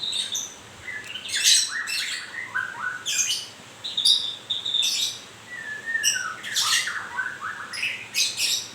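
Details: White-rumped shama shedding feathers, singing a long rich sequence: harsh high rasping bursts, clear mid-pitched whistles and quick twittering notes, phrases repeated roughly every second.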